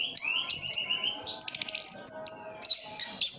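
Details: Captive orange-headed thrush from Sidoarjo, East Java, giving a sustained thin whistle followed by clusters of sharp ticking notes and a final high descending slur; quieter than the surrounding passages.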